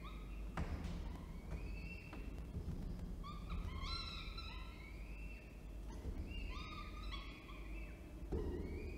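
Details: At Orange, NSW, on 19 October 2024, a male falcon delivers food and the female feeds. Scattered nasal, upward-sliding wails come in small clusters, with thumps and a strong low rumble beneath.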